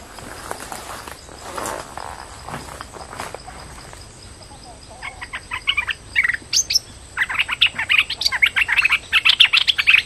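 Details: Streak-eared bulbul lure call for trapping: after about five seconds of quiet background hiss, rapid bursts of chirpy, scratchy notes begin and grow louder and denser toward the end.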